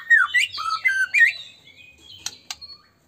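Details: Lively white-rumped shama song used to provoke rival shamas to sing: a quick run of loud, twisting whistled notes for over a second, fading into soft high notes, then two sharp clicks.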